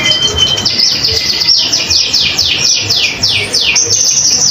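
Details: Bright common iora song intended as a master song for other birds: a steady series of high whistles, each sliding sharply downward, repeated about three times a second, with a quiet steady hum below.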